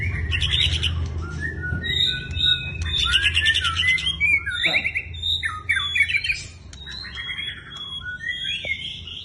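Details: Energetic white-rumped shama song mixing sweet whistled notes, fast trills and harsh chattering phrases in quick succession, with a low background hum and a brief knock midway.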